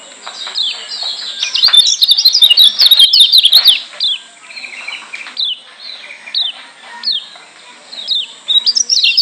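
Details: Lombok yellow white-eye singing to make other white-eyes heated: a dense, loud stretch of fast, high twittering, then separate downslurred chips every second or so, ending in another quick burst.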